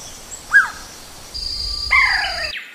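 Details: Banded pitta calling: a short rising-falling note, then a longer drawn-out whistled note held steady before fading, over a quiet natural background with a faint high hum.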